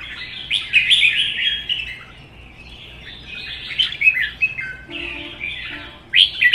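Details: Caged red-whiskered bulbuls in a singing duel, one a wild-caught adult kept one season. Cheerful warbled phrases with slurred whistles, a quieter middle stretch, then a loud, abrupt burst at the end.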